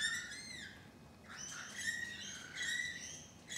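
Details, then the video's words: Rainbow lorikeets on a balcony, thirteen birds present, giving harsh, grating screeches with shrill rising and falling tones in overlapping bursts. "Balcony Birds EPISODE 1: Rainbow Lorikeets"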